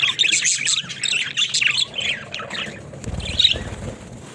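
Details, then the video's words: Pet budgerigars, described as talking, warble in quick squeaky runs for about two seconds, then drop to sparser chirps over low rustling knocks. "Funny Talking Budgies"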